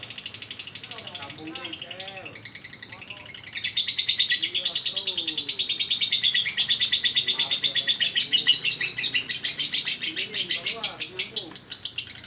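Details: Long ngekek trill of a lovebird: rapid shrill chattering pulses that swell in loudness after a few seconds, with men talking in the background.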